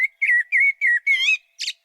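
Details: Common blackbird spring song verse: five deep, mellow, fluty whistled notes at a relaxed, deliberate pace, ending in a brief, high, squeaky twiddle.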